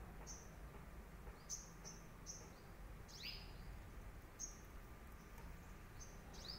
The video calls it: Hummingbirds sound